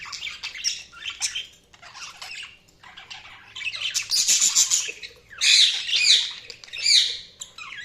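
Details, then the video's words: Budgerigar chatter of soft scratchy warbles, then louder buzzy squawks and curling chirps in the second half. "Budgies Sounds| Budgies Chirping sound"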